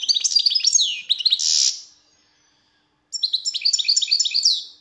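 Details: European goldfinch singing in two long phrases of fast, liquid twitters, with one harsh buzzy note, tumbling chirps and sweeping slurred notes, separated by a pause.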